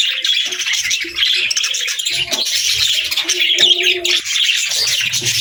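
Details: Happy pet budgerigars chatter continuously with dense, scratchy warbles and rapid high chirps.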